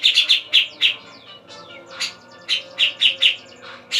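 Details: Javan grey-cheeked bulbul at dawn giving clear high chirping notes in short groups of two or three, with brief pauses between groups.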